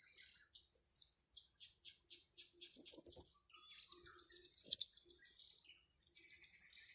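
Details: Blue-crowned hanging parrot during luring, with bursts of piercing high tsit notes, some in fast rattling clusters, some as longer buzzy trills, about every second with short pauses. A constant high insect drone sits behind.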